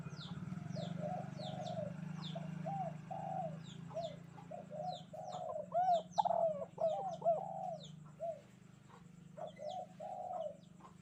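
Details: On a bright morning a spotted dove gives low repeated coos, with a louder cluster of arched coos midway, over a steady low hum and small chirping birds in the background.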